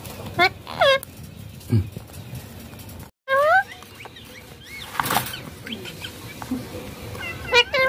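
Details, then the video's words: Ringneck parakeet playing on a mobile phone gives a few isolated chirps: a pair of rising squeaks early, a longer sweeping syllable after a brief dropout, and a last squeak at the end amid handling noise. "Ringneck Green Parrot talking"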